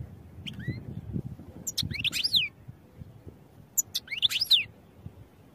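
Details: Goldfinch song phrases for training: two short bursts, each a sharp chip followed by bright, slurred descending whistles and twitters, a few seconds apart, over faint background hum.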